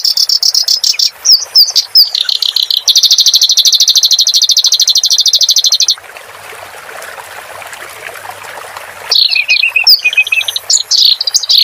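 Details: Clamorous reed warbler song over a soothing water-sound backdrop for caged birds. Varied high phrases lead into a long, rapid, pulsing trill, then trickling water alone, then the chattering song resumes.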